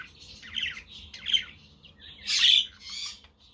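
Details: Budgerigars chattering on a windy, sunny day, with a quaker parrot and a conure in the background: buzzy warbled phrases, then a loud harsh squawk and a shorter scratchy burst near the end.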